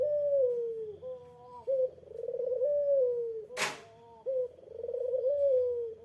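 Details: Eurasian collared dove calling to draw a rival's reply: low, mellow coos in rolling phrases, each swelling then sliding down, with a brief pause and short higher note between phrases. One sharp broadband click interrupts midway.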